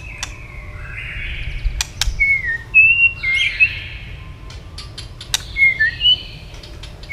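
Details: White-rumped shama flicking its tail nonstop while roused into fast, intense fighting song: scattered clear whistled phrases, some sliding and looping, broken by sharp dry clicks across quieter gaps.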